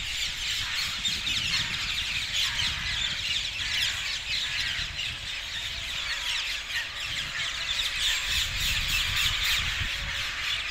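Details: Many brightly coloured parakeets arriving at the same trees south of Hackney Marshes on 18 February 2021, their rapid, rasping squawks merging into an unbroken high-pitched roost chorus.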